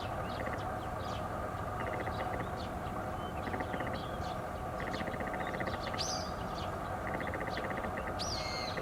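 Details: Garganey on 13 April 2019 giving several dry, rapid clicking rattles at intervals, while nearby teal add occasional sharp high whistles, all over constant heavy background noise.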